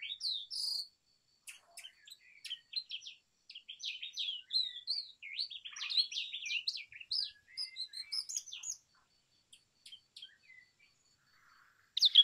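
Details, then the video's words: Long, busy warbling song of a brown rock chat: rapid jumbled chirps and twisting whistles flow for about eight seconds before thinning into a few soft notes. "Brown Rock Chat Call ! Brown Rock Chat Song ! Brown Rock Chat Sounds ! Brown Rock Chat Voice"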